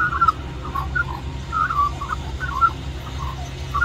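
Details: A little magpie at Cirillo Reserve, Middleton Grange, New South Wales, Australia, singing while begging for more mango at lunchtime: soft, mellow warbled notes in irregular short phrases over a steady low rumble of background noise.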